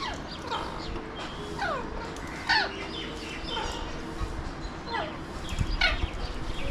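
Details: Mumbai's Alexandrine (pahadi) parakeets, seen from a window in India, give scattered harsh, falling squawks, one louder and more ringing near the middle, over steady low background rumble.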